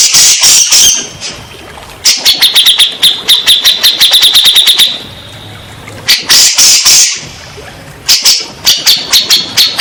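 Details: Grey-cheeked bulbul, played as therapy for stressed or silent birds. Harsh, noisy bursts alternate with long, fast trains of sharp, high chips, the chattering resuming after each short pause.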